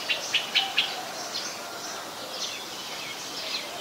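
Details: Very common resident Streak-eared Bulbul, Ubon Ratchathani, Thailand, January 2021: four crisp, clipped chips in quick succession open the recording, followed by fainter, softer high notes against a hissy backdrop.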